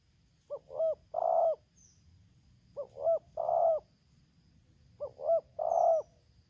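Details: Spotted dove from a decoy-versus-wild-bird luring session in Lampung, Indonesia, in the 'tarik akar selang nguku' style: a clear three-part coo, two quick rising notes then a long husky one, repeated three times about every two and a half seconds.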